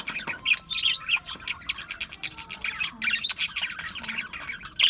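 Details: Budgies chirping: rapid high tweets and warbled squeaks, some brief clear whistles, in uneven bursts throughout with a louder flurry near the end.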